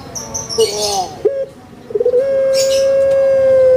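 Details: Captive Barbary dove known on Java as puter pelung: a few short rising coos, then a stuttering build-up into one long, steady, clear coo held nearly two seconds, with brief higher chirps behind.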